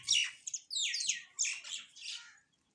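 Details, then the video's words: Sparrows feeding and calling, giving a short series of loud, high chirps, each sliding downward in pitch, four or five notes before falling silent. "eating Sparrow Chirping Sound | Sparrow Birds Eating Food Chirping"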